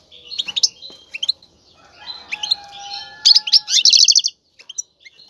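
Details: European goldfinch male, caged, in strong mating song meant to get a female nesting: jangling twitters building to a loud, rapid trilled run of high notes, with faint lower sustained whistles beneath.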